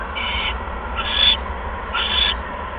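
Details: Evening at an owl nest, 16 February 2015 at 8:38 PM, during delivery of a second mouse; three coarse hissing screeches close together, the first softer, each under half a second, over faint electrical hum.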